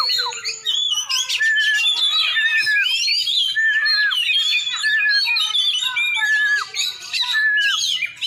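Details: Champion Oriental magpie-robin from Aceh, black-and-white form, singing a dense run of loud whistled notes, slurred rising and falling phrases and sharp chirps in quick succession with hardly a pause.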